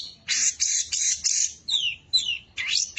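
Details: Champion long-tailed shrike singing a song used as a lure for rival birds: loud harsh buzzy bursts followed by thin descending whistles and a rising sweep.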